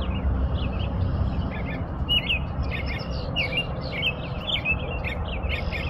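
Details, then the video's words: American robin singing: a continuous run of short warbled, rising-and-falling whistled phrases, several per second, over a steady low background rumble. "impressionante canto do sabiá-norte-americano"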